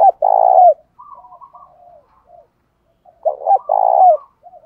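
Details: Spotted dove coo meant to incite fighting and lure rival birds: a strong, throaty, burry coo, soft warbled follow-up notes, then a second loud rolling coo phrase about three seconds later.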